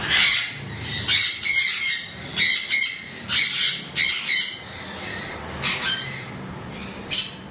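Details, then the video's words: Chestnut-fronted macaw with its mate, giving a run of raucous screeching squawks in bursts of two or three, separated by short pauses, harsh and high-pitched, fading toward the end; low background hum throughout. "Severe chestnut fronted Macaw with his love"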